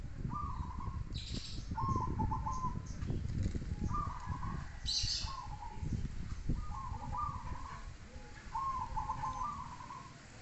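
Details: Zebra dove singing repeated short trilled coo phrases about every two seconds, each a quick stuttering series of notes, amid low rumbling background noise and occasional knocks.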